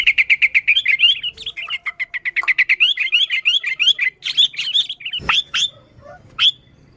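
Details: Sooty-headed bulbul in lively song, used to lure other bulbuls: a fast stream of bright chattering notes and bubbly slurred phrases, then a few sharp clicks and a last chirp.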